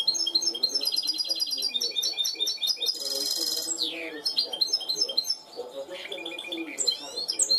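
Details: A goldfinch hybrid trained to a clean song sings a continuous, fast, high song of tinkling twitters and rapid trills, with a harsh buzzy burst midway.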